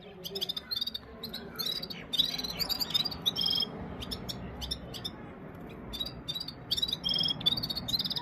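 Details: Red-fronted serin song, one bird matched against five, phone-recorded: repeated bursts of high buzzy trills and sizzling twitters separated by brief gaps, with steady low-pitched background noise throughout.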